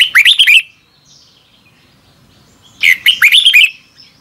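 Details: Red-whiskered bulbul morning singing recorded as a training lure, two matching bursts of quick, liquid up-and-down whistles roughly two and a half seconds apart, with quiet between.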